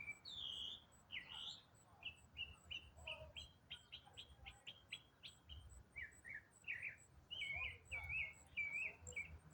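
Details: Unidentified autumn songbird mid-way through an eight-minute non-stop song: looping whistles, a rapid series of short chirps, and warbled twisting phrases toward the end.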